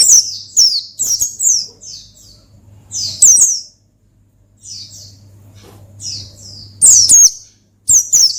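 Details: Gacor ngalas of an Oriental white-eye, used to call and provoke a rival: rapid clusters of high descending twittering notes broken by brief quiet spells, with a low background hum.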